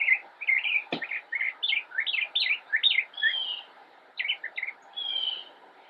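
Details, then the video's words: An immature Northern Mockingbird (Mimus polyglottos) sings from a bush in Cabarrus County, North Carolina, on 10 October 2016: a fast, varied string of bright chirps, slurred notes and brief whistles, with one sharp click near the start. "Northern Mockingbird - Singing from Bush"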